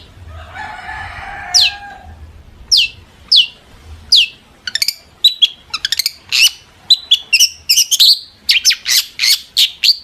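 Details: Long-tailed shrike singing energetically to provoke other shrikes to answer: a harsh buzzy chatter for two seconds, then sharp downward-slurred whistled notes that come faster and faster into a dense run of clipped chirps.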